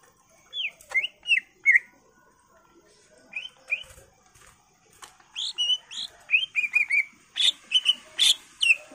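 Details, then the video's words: Greater green leafbird song used as a trigger for other songbirds: scattered looping whistles, then a busier stretch of rising and falling slurred notes and bright chirps toward the end, against a quiet background. "PANCINGAN CUCAK IJO Macet Bunyi / Masteran Cucak Ijo full isian"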